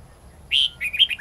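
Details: Red-whiskered bulbul, wild-forest style song (giọng rừng) for young birds to copy: one strong sustained whistled note, then a quick chain of bright bending notes ending lower.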